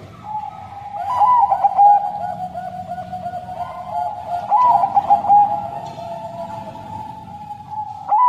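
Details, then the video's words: Caged Bangkok crossbred zebra dove singing a fairly long, sad-sounding song. Two phrases of tremulous, rolling coos stand out against a constant murmur of other doves cooing. "Perkutut Bangkok Suara Sedih Lumayan Panjang"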